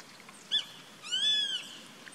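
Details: From a treetop perch on 14 April 2019, a grey-faced buzzard gives a brief clipped note followed by a drawn-out, high, slightly arched whistle lasting about half a second.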